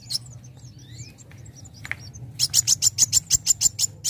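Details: Young sunbird singing, used to provoke others to sing: a few thin whistled slurs, then a fast run of high, sharp, evenly spaced chips in the final half.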